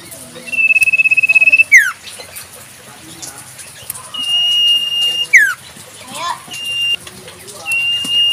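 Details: Common Iora in natural surroundings: a trilled, wavering long whistle dropping sharply, followed by smooth drawn-out whistles and further falling notes.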